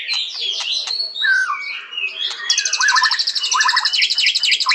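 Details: Varied white-rumped shama song: sharp clicks, swooping whistles and warbles, followed by a high buzzy trill over a repeated pattern of falling whistled notes.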